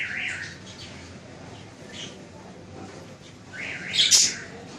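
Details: Pet budgerigars in Lahore, Pakistan give bursts of scratchy, warbling chatter, with a louder, harsher squawk near the end over a low background hum.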